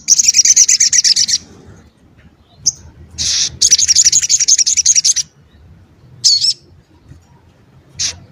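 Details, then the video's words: Crimson sunbird in full song, used as a vocal model for other cage birds: two long rapid high trills, each over a second, followed by a few single sharp chips. "Sogon Ontong Gacor"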